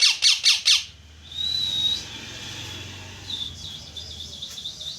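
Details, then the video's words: Four loud rasping parrot squawks come first, then a thin, level high whistle and faint, wavering chirps over low background hum. "parrot Chirping sound"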